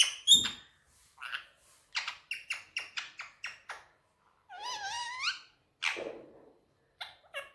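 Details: Indian ringneck parakeet on a table, talking in Urdu/Hindi: a clicky start, then rapid squeaky syllables in a row, a wavering drawn-out nasal phrase, and a few sharp short notes at the end.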